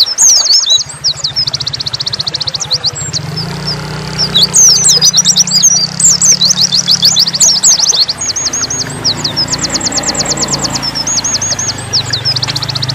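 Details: Dakun-type Oriental white-eye in full nembak song, mixing slurred whistled notes with long, fast, even trills repeated through the clip, over a steady low mechanical hum for the first eight seconds.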